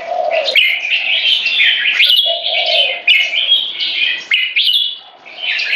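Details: Red-whiskered bulbuls (jambuls), two competition birds aged 3.5 and 7 years, singing in butir frequency style with gaya display to dominate territory and subjugate a rival; dense overlapping warbled phrases with quick rising and falling notes, briefly broken by short gaps.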